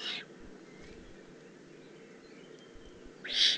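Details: A juvenile Eurasian eagle-owl in the Eifel, 18 June 2016. A hissing rasp is cut off at the start and a louder one comes at the end, with a quiet gap between them and faint thin twitters.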